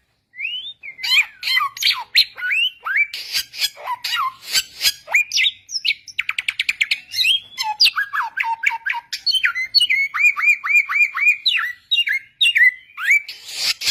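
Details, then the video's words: Long, varied song of a wild white-rumped shama, clear-toned: rapid sharp chips, buzzy rattling bursts and whistled slurs, shifting into repeated short downslurred whistles near the end. "Masteran burung Samyong di alam liar suara jernih !!!"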